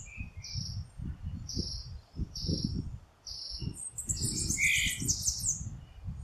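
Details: Pale-breasted thrush (Turdus leucomelas) giving thin, high call notes about once a second, then a brief richer, busier phrase, over a low rumble of wind.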